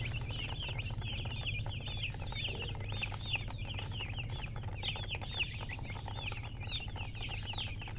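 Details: A crowd of chicks keeps up constant high peeps, each a brief falling or looping note, packed so closely they form a continuous twittering chorus above a low background drone.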